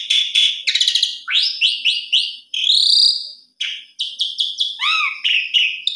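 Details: Asian pied starling singing a rich, melodious song: a quick run of varied whistled and chattering notes, a long buzzy rising note, then short, sharply rising squeaky whistles.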